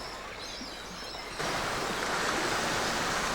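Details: Rushing water and surf-like roar, growing louder partway through, with no animal calls heard.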